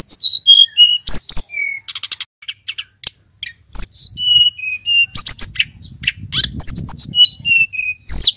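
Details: Male sulingan from Mount Merapi singing energetically to lure other birds: whistled notes, buzzy trill bursts and sharp clicks, with a faint low rumble toward the end.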